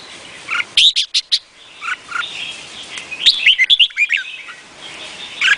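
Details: Red-whiskered bulbul, Vietnamese type: clusters of sharp, bright chirps and short warbling phrases, repeated in bursts with brief gaps and a fainter soft twitter between them.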